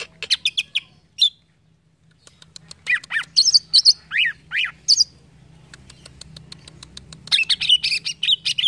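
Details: Green leafbird song bursts: rapid chirps, a short pause, then arched whistles and high twitters, a quieter stretch of ticking, and a loud, dense chattering finish.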